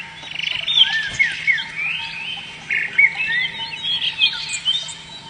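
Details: Canary singing a string of clear, slurred whistles and sweeping notes, rising and falling, over a steady low electrical hum.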